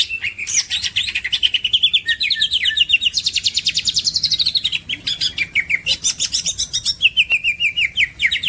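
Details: Green leafbird song from a masteran birdsong recording: varied high whistled phrases mixed with long, rapid rattling trills of sharp repeated notes that slide downward, interrupted by brief pauses and fresh bursts of sweet notes.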